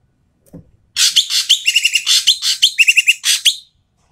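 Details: Asian pied starling giving loud, harsh, noisy calls, used as a lure to prompt quiet starlings to sing. A rapid run of raspy chattering bursts, with short clear whistled notes repeated in small clusters, lasting about three seconds.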